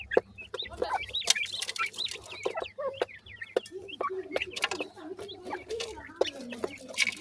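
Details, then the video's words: Several Grey francolin chicks call at once in a dense chorus of high, wavering whistled chirps mixed with lower soft clucking notes, almost continuous throughout, with frequent sharp clicks and a faint low hum beneath. "grey francolin bird chicks ke natural voice"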